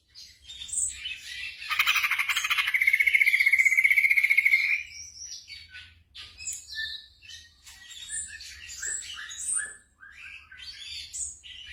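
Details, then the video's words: Black drongo song for night training of caged birds: a loud, dense buzzy rattle for about three seconds, then scattered sharp chips and short whistles. "TERAPI SRIGUNTING MALAM HARI"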